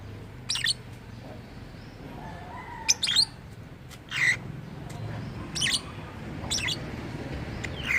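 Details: Lovebird, said to mimic a human voice, utters scattered sharp squeaky squawks, a few seconds apart, over a steady low hum.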